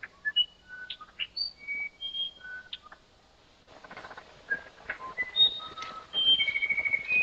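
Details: Uirapuru (musician wren) from the Brazilian Amazon giving a flute-like song of clear whistled notes jumping up and down in pitch, a brief pause, then more whistles over a rougher, noisier background, ending in a rapid buzzy trill.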